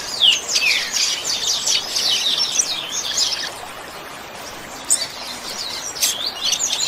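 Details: A 'chuva' song of the Double-collared seedeater, recorded to train captive birds. A burst of rapid, high, twittering notes fills about three seconds, pauses, then resumes with short sharp chips.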